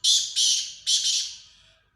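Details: Black francolin giving three loud, rasping, buzzy notes in quick succession, the last one trailing off into a fading echo.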